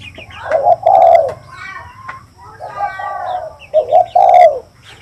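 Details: Nearby spotted dove giving low, mellow coos, each a quick note then a drawn-out falling one, three phrases in five seconds, while other birds chatter and chirp above.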